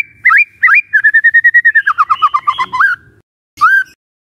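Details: Lure song of a white-rumped shama aimed at provoking other shamas: two upslurred whistles, a rapid steady trill of whistled notes that drops lower, a pause, then one final rising whistle.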